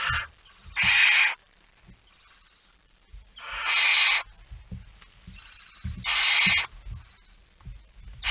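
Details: Barn owl at the nest during feeding, recorded at 05:28 on 19 September 2019: harsh broadband hissing screeches, each about half a second long, come in clusters of two or three, with faint low thumps between them.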